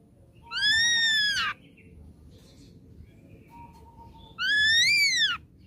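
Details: Song of an ashy drongo played as a lure to draw a reply: two loud, clear whistled notes, each sliding down at the end, separated by a faint, thin, high whistle.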